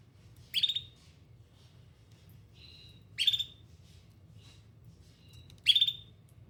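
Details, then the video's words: Domestic canary delivering three loud, rasping high trills roughly two and a half seconds apart, with quieter whistled notes in the gaps and a soft low hum throughout. "Canary Singing"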